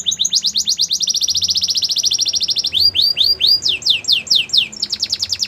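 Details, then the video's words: Canary pouring out a long rapid trill of bright repeated notes, then a series of slower swooping falling whistles, returning to a quick trill at the close. "Melodies canary bird song | Belgian canary singing"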